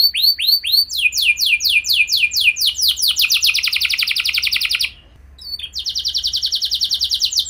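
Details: Lure song of a canary meant to set other canaries singing: swooping whistles give way to a dense buzzing trill, a brief pause, then the fast rattling trill resumes.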